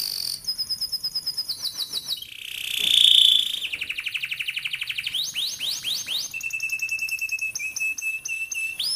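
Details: Canary training song for young birds: rapid repeated swept notes, a harsh buzzy burst, then trills and a long steady whistle with rolling chips.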